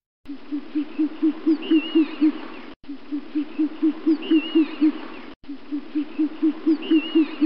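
An owl gives a quick run of about ten low, soft hoots that swell in loudness, heard three times over, with a faint high bird whistle behind.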